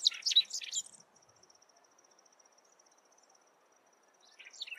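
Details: A lark-like bunting sings a quick, canary-like burst of high, twittering notes, pauses, then starts again, with a faint steady insect trill running underneath.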